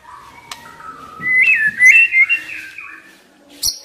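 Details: White-rumped shama, a young wild forest bird, giving a soft low whistle that climbs into a bright warbled phrase of quick slurred notes, then a brief high chip at the end.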